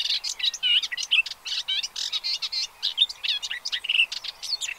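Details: Calls of pied avocets with their chicks at Séné Nature Reserve, Gulf of Morbihan, on 30 April 2023: rapid, choppy series of ringing harmonic notes with brief pauses, several birds overlapping throughout.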